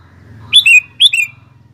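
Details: Two quick phrases from an actively singing sooty-headed bulbul, each a sharp high note dropping into a longer bright slurred note, over a steady low hum.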